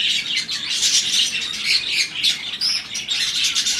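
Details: Budgies, Australian parrots, crossing in breeding season; rapid twittering chirps and a few clear whistled squeaks blend into constant chatter.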